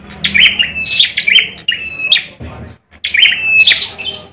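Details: Fighting bar-winged prinia, kept as a contest songbird in Indonesia, giving loud bursts of sharp clicking chirps that slide into a short steady whistle, broken by a brief silence before resuming.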